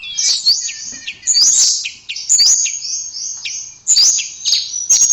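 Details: Tledekan, a blue flycatcher, sings short high phrases of sliding whistles about once a second, each opening with a sharp click, the notes clear and ringing.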